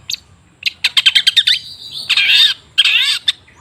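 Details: Long-tailed shrike (cendet) lure song for a stalled bird. A rapid series of sharp ticking notes is followed by two longer, rasping, warbled phrases.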